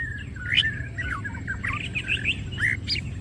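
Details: Greater green leafbird (green cucak) in gacor masteran song, opening its wings: a continuous chatter of short warbled and trilled whistles with scattered sharp high notes, over a constant low rumble.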